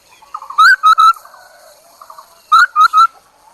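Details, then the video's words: Chinese hwamei decoy bird singing two loud three-note whistled phrases, each first note sliding upward, with low soft trills filling the gaps. "Tiếng chim họa mi đất mồi || Suab noog kaim kauj quaj cuab tuaj"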